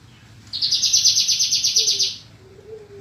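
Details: Javan bushlark song in a 2022 compilation of tutor recordings for training kept birds: one buzzy, rapidly pulsed high trill lasting about one and a half seconds, followed by faint low tones and a quiet background hum.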